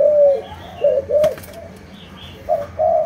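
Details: Spotted dove of Malaysian stock cooing: a long opening coo followed by shorter low notes, a sharp click midway, a quiet stretch, then two more mellow coos, with faint higher chirps behind.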